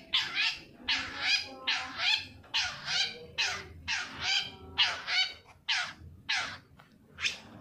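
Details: Long-tailed shrike lure meant to prompt reluctant shrikes to sing: a steady series of grating, rasping notes, each a double burst, about one per second over several seconds.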